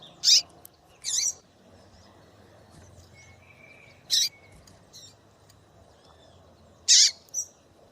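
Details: Calling female double-collared seedeater, used to stir a male into song: short, harsh, high chips given singly and in a close pair, spaced irregularly, with a thin whistled tone midway and faint background hum.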